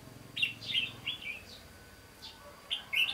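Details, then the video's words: Red-whiskered bulbul used as a decoy during bird trapping on 15 June 2016, singing in a 'bell voice' style: short bright whistled phrases in bursts over steady low background hum. "Bẫy chào mào giọng chuông"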